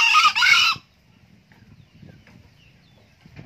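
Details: Green junglefowl, an old male that crows often, gives a single harsh, hoarse two-part crow lasting under a second, a brief rasp then a longer one, followed by quiet background murmur.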